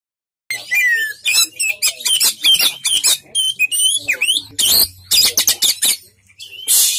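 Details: Oriental magpie-robin singing a rich, varied song: clear whistled notes, rising and falling slurs, and bursts of harsh buzzy, scratchy phrases in quick succession, with short pauses between phrases.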